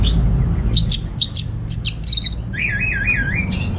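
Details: Home-kept orange-headed thrush from North Bali gives a string of short high squeaks and chips, then a wavering, warbled whistle trilling up and down, over low background droning.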